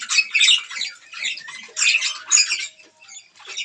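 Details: Budgies eating green food give short bursts of harsh, warbling chirps, about four clustered phrases separated by quieter gaps, with a faint steady hum.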